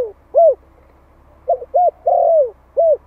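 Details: Young Malai spotted dove in Vietnam, kept as a decoy and calling to provoke wild doves. One short coo, a long quiet gap, then a full phrase of stuttered notes, two short coos around a long descending coo.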